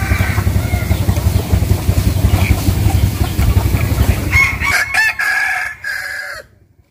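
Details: Morning rooster crow at a village home in Vietnam's Mekong Delta: a steady low motor drone fills most of the recording before a loud, strained, drawn-out crow rises near the end and cuts off.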